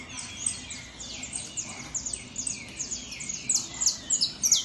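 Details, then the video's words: Saffron finch singing at a competition show, starting with softer high slurred chirps, then louder, sharper descending notes packed closely together near the end, over a quiet low hum. "canario da terra Top Show"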